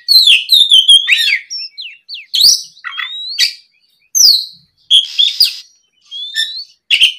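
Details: An oriental magpie-robin in lively afternoon song, used as a lure so young birds answer quickly. Fast whistled phrases and chattering notes alternate with rising whistles and a raspy burst, with brief gaps between phrases.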